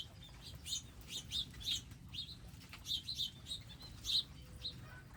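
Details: Small wild birds at a bird garden with feeders, seed and water chirp in short, high, irregular bursts, several notes a second at times, over a low, steady background rumble.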